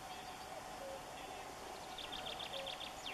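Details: White wagtail settled on a dry tree that forms an islet in a river, nesting in a dense tuft of grass and carrying nest material; a quick run of thin, high chirps near the end, with faint earlier notes over steady background hum.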